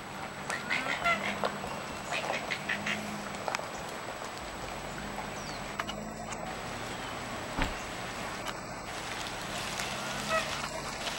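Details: Two Nene (Hawaiian geese) strolling around the Kilauea Lighthouse parking lot on Kauai give soft, low, drawn-out nasal calls in short bursts every couple of seconds, with thin chirps of small birds and steady wind or surf behind.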